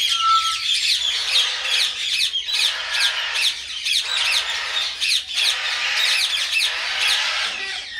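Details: Tame pet common myna talking: one brief level whistle opens a rapid, harsh, rasping chatter of fast repeated squawks, roughly two to three per second, rising and falling in loudness for eight seconds.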